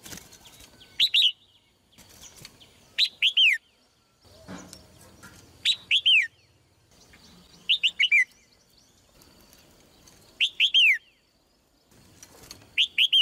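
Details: A female red-whiskered bulbul sings melodiously, repeating short phrases of three to four quick slurred whistles about every two seconds, with a brief low rumble in the middle.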